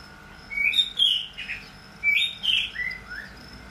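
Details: Male white-rumped shama, second moult going into third, giving two bright, high whistled phrases with quick slurred notes that dip and fall at the end, separated by a short pause, over a faint steady hum.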